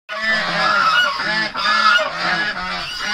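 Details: Chinese goose, a farm bird kept in Pune, Maharashtra, India, giving loud, harsh, nasal honks in two long rolling bursts separated by a brief pause.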